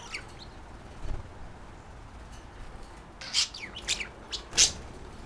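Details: Pet budgerigar pair, a guest female and a male that fell for each other, calling back and forth when settled for the night; near silence broken by a loud clustered run of sharp, clicky chirps toward the end.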